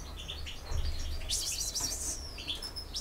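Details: Campero-style European goldfinch song: quick high twittering notes, a loud buzzy, rattling flourish in the middle, then a thin descending whistle and a few more chirps, over soft low background noise.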